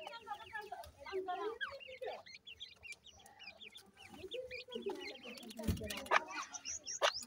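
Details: Francolin (teetar) chicks at feeding, with repeated low clucking notes, arched mid-pitched calls and quick high chirps overlapping, and a loud knock near the end.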